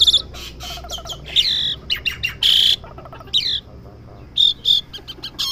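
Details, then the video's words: Home-kept Asian pied starling learning to sing: a varied run of harsh squawks and bright whistled notes, some bursts buzzy and broad, others clear, separated by short pauses over faint low background hum. "jalak suren rumahan belajar bunyi"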